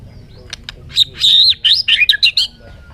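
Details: A bird gives a high, tumbling twitter of quick warbled notes that run together in a bright, scratchy stream.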